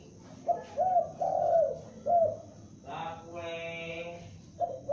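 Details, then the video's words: Young spotted dove lure bird calling loudly: a phrase of low mellow coos ending in a long falling note, followed by a steady harmonic droning sound, then the coos start again at the end. "Tekukur Pikat gacor anakan Berbunyi Memanggil"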